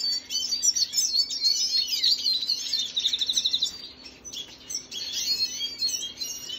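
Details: Red siskin of Venezuela singing on 25 June 2022: a fast, buzzy, chattering phrase of high chirps and trills, a short near-silent gap, then another energetic twittering run.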